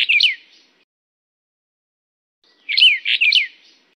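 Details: Taiwan endemic Brown bullfinch, subspecies uchidae, from mountain forest at 1000 to 2800 metres: a brief burst of whistled notes, then a pause, then a phrase of three rapid, bright, downward-bending whistles.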